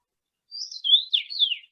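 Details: A male Common Rosefinch in Finland in mid-June, a migrant that winters in India, sings one short phrase of four slurred, clear whistles, rising then falling, rendered 'pleased to meet you'. No other sounds are heard.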